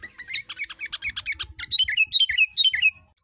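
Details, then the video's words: Hand-raised sooty-headed bulbul from Tegal, Indonesia, singing shrike-like mimicry: a rapid sequence of scratchy chattering notes followed by sharp descending whistled slurs repeated in quick pairs. "Kutilang jawa Gacor rasa cenDet"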